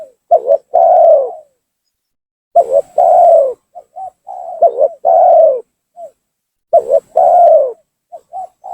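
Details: Lure call of a spotted dove, used to force rival doves to come down: three strong phrases of a quick double note and a long sliding coo, with short soft coos scattered in the gaps.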